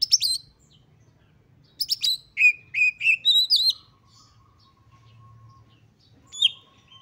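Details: Oriental magpie-robin in highly excited song meant to spur other magpie-robins into singing: bursts of sharp high chirps and slurred whistles, a run of five repeated whistled notes midway, pauses between phrases, faint low hum behind.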